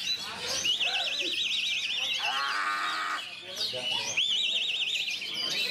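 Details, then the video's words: Oriental magpie-robin song: a rapidly wavering, trilled high whistle repeated in bursts, broken midway by a low harmonic buzzy sound, with a busy background of other sounds. "Kacer COBRA | Kata Pakde Narto Joyo : "Dengerin Congornya, Bukan Ekornya !!!"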